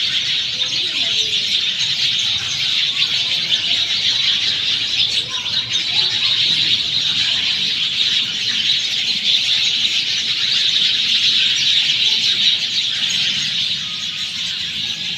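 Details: Long stretch of sparrows chattering after monsoon rain in Sanghar, Sindh, an unbroken mass of rapid high chirps from many birds, fading slightly at the very end.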